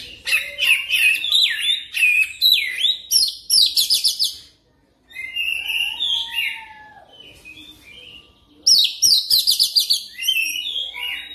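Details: Lure song of an oriental magpie-robin, for training a bird to sing fast rolling phrases. Dense streams of whistles and harsh chatter break off in a brief silence, then softer warbles follow before a loud rapid burst returns.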